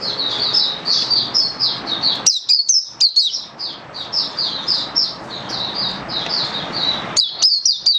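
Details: Oriental white-eye, a kept songbird, sings a fast, high, twittering stream of short slurred notes, broken by brief pauses and a few sharper chips.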